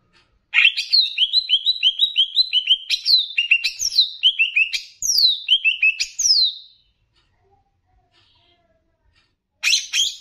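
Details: Greater green leafbird of the Banyuwangi type, in a training recording mixed with bebeci-style phrases and meant to raise other leafbirds' excitement: a rapid run of high, rising whistled notes with sharp upslurs, a pause, then a final burst.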